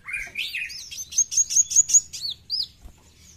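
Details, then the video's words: Brown-throated sunbird in besetan song, opening with lower buzzy rising notes, then a rapid sequence of sharp, very high chirps and curved whistles that fades out near the end. "KOWUL GACOR FULL BESETAN"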